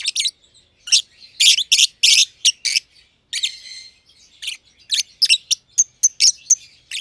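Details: Two masked lovebirds, a green and a green pied personata, chirping as close companions in a simple aviary; one is under a year old. Sharp high chirps come in bursts of two to four, with short gaps, then a quicker run of thin notes.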